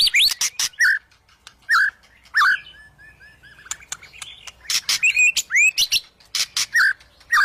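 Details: Agitated white-rumped shama (murai batu), eager to fight a rival: loud bursts of sharp clicks and rising, slurred whistles around a short quieter pause, then fast, strident phrases resume.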